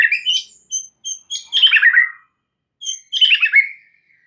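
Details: White-rumped shama song used as a lure to prompt full repertoire singing. High sharp chips lead into two dense warbled bursts of tumbling notes, separated by a clear pause.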